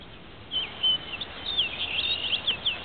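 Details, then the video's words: Male orchard oriole in the twilight hours at Marais Temps Clair Conservation Area, northern St. Charles County, 5/28/10, giving a hurried jumble of high whistles and slurred chatter that grows busier toward the end, over faint background noise. "Orchard Oriole singing"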